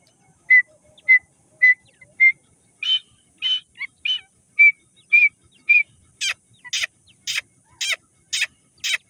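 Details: Grey francolin (irani teetar) chicks during feeding, Sindh: clear short whistled peeps about twice a second, slightly rising in pitch, followed from midway by louder, harsher buzzy notes at a similar steady rhythm.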